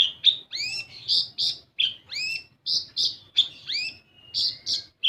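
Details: Olive-backed sunbird, locally kolibri ninja, lure recording to stir other birds into song: a steady stream of piercing chirps alternating with swooping whistled notes, almost without pause, faint low hum beneath.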